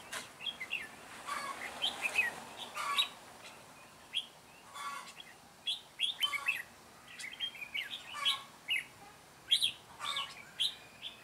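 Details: Decoy red-whiskered bulbul at a trap set for wild bulbuls, 9 June 2017; bursts of quick, liquid whistled notes in short phrases separated by brief pauses, with occasional rustling sounds.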